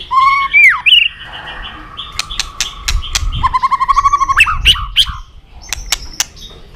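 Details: White-rumped shama song used as filler material to prompt other shamas to sing: clear fluted whistles and upward slurs, a fast trilled run of even notes, and scattered sharp clicks, with low background rumble.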